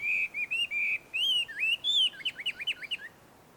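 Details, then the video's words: Chinese hwamei singing in the wild among shady trees at a Tenmangu shrine in Joso, Ibaraki, Japan: loud clear whistled phrases, some sliding and upturned, then a quick run of short looping notes. "ガビチョウの鳴き声鳴き声。suara merdu Poksai di alam liar!"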